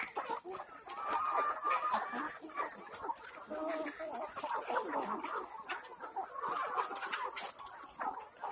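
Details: Flock of black Kadaknath chickens kept on an organic farm in Cuttack, Odisha, a busy mix of rapid clucks and brief nasal calls tumbling over each other, with a louder burst of chatter in the first seconds.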